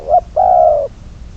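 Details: One coo phrase from a spotted dove used as a trapping decoy: a brief clipped note, then a long even coo lasting about half a second, with faint low rumble behind.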